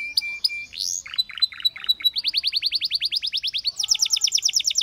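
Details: Varied canary song: a few sharp high chips and a rising whistle, a short run of descending notes, then long rapid trills of rising notes that speed up and climb higher toward the end, in a quiet setting.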